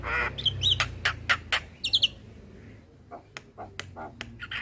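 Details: Male Javan myna song used to tutor a young bird: bursts of harsh squawks mixed with quick high chirps and buzzy notes, followed by a sparser run of isolated clicks.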